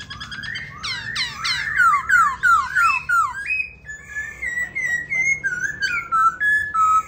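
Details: White-cheeked laughingthrush kept as a pet, singing while dancing: a quick run of falling whistled notes speeding up, then a level series of clear, softer whistles repeated in steady rhythm.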